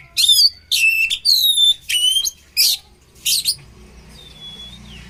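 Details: Oriental magpie-robin (kacer) song for training: about six loud rasping, whistled phrases at roughly one-second intervals, ending with a soft thin drawn-out whistle.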